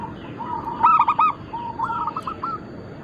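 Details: Zebra dove of a local and Bangkok cross singing eagerly: a loud trill of three or four rolling coo notes, then a softer, longer run of coos from another dove.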